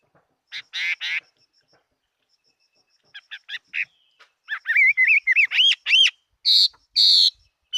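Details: Chinese hwamei, a fighting bird, singing in 2018: loud buzzy bursts, a pause, then short clipped notes building into a run of rising, looping whistled phrases and harsh broadband blasts near the end.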